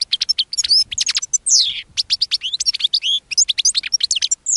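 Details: A caged European goldfinch sings a rapid, tumbling stream of high, liquid twitters and tinkling notes, with a few slurred descending phrases and brief pauses, before a linnet joins in.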